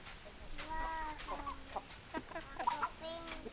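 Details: Chickens, hens clucking with short stacked notes, a few louder squawky calls near the end, over a busy background with some faint voices.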